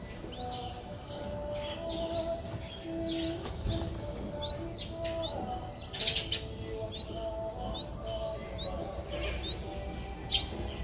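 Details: Thin, high, hooked squeaks from a four-day-old Streak-eared Bulbul (Pycnonotus blanfordi) nestling repeat about once a second over a steady low hum; Ubon Ratchathani, Thailand, 6 April 2023.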